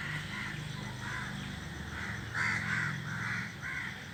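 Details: Crows perched as a group in a tree keep up rapid, overlapping harsh caws, a louder burst in the middle, against a constant low-pitched background drone.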